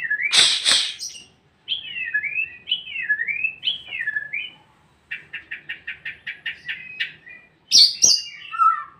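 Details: Captive-bred white-rumped shama singing in trotol style: a loud noisy burst, then wavering whistled phrases, a fast run of about ten rapid repeated notes, and a final bright, falling flourish.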